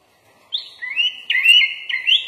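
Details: Sooty-headed bulbul, or kutilang, giving full-isian song with shama-style phrases: after a quiet start, three looping whistled phrases, each sliding upward and then leveling off.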